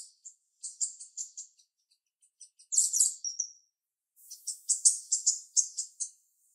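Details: Female jalak rio-rio starling with a sharp voice: very high, scratchy chattering notes in quick bursts, then a short harsh burst, then a longer run of rapid, grating high notes.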